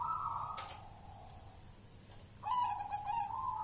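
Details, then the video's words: Local wild zebra dove, jolotundo song style, thick voice, kept as a lure bird; two rounded cooing phrases with a pause between, the later one louder and trilled, over a faint steady background hum. "Suara perkutut lokal jolotundo tebel nembak mental badja"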